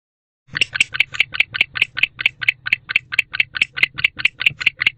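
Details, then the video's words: Male barn owl back at an owl box late at night on 25 October 2023, calling to his mate: after a brief silence, a rapid series of short, harsh rasping notes, a little over two per second. "Male Barn Owl Back in the House Calling to His Mate."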